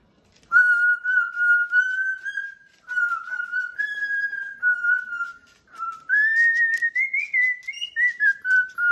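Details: Pet cockatoo indoors whistling a sweet little tune: clear, pure whistled notes held steady at one pitch, broken by short pauses, then climbing gradually in a wavering run before dropping back down. A few faint extra sounds in the background.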